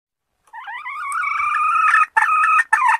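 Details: Junglefowl lure call: a rising, drawn-out harmonic note that strains upward for about a second and a half, followed by two short, harsh, broken notes.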